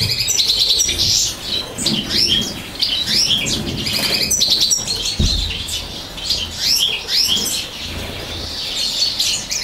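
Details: Common chaffinch chicks being fed by the female, 2018, at a breeder's: shrill chirps and rising whistled squeaks in clustered bursts, high-pitched and busy, with occasional fluttering and low thumps.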